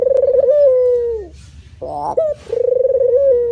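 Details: Male spotted dove cooing in the manggung style: a long soft coo that falls at its end, a harsh buzzy stacked note, then another vibrating coo begins.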